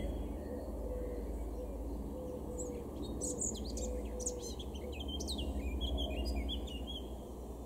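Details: Male blackcap, garden bird of Weener in East Frisia, recorded April 2022, delivering a short jumbled warble of sharp high notes midway, with faint repeated lower tones and steady low rumble.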